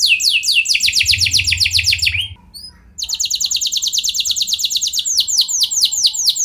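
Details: Canary lure song to make other canaries sing long rolls: a fast descending trill, a short pause with a few thin notes, then a long rapid roll that slows into broader sweeps; low hum underneath.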